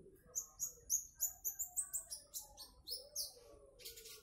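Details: Konin trotol bird giving a rapid series of sharp, high chirps, about four per second, with short rising whistles, fairly clean against a quiet background.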